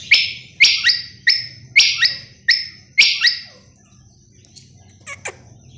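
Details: Quail calling: loud, high, harsh notes, each a sharp onset with a falling buzzy tail, given in quick pairs about every half second, then a pause with a few faint chirps.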